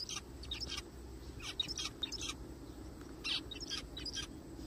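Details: Zebra finches calling in a forest: short nasal, buzzy call notes come in quick clusters, several overlapping, with brief gaps between bursts over a low, steady background hum.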